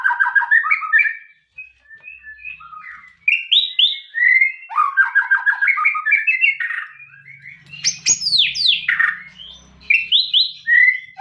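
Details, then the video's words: White-rumped shama delivering a long rich song of fast whistled trills and warbles, swooping high notes in the middle, and a faint low hum in the background. "MURAI TAMBAH NGOTOT DENGAR SUARA ASLI INI"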